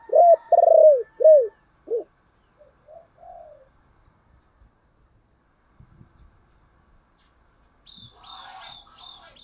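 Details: Spotted dove used as a decoy to entice wild doves: a loud phrase of three deep downward-curving coos and a lone final note, then soft murmurs, faint knocks and thin high chirping from another bird.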